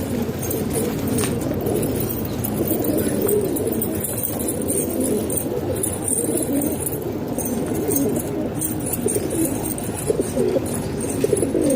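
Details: Hobby pigeons kept in a house in Pakistan coo together in a steady low rumbling murmur, many birds overlapping throughout, with scattered clicks, wing rustles and a hint of background voices.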